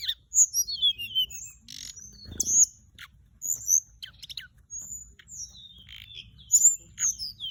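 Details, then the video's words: Lure song of an orange-breasted, white-bellied flycatcher: a busy stream of high, sweet whistles, descending slurs and crisp clicking notes in quick succession, with a brief rustle in the middle. "เสียงต่อ นกจับแมลงอกส้มท้องขาว"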